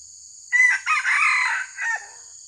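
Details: Red junglefowl crowing during trapping to lure wild junglefowl: one loud crow of about one and a half seconds, starting abruptly, broken into a few segments and dropping in pitch at the end, over a steady high insect hum.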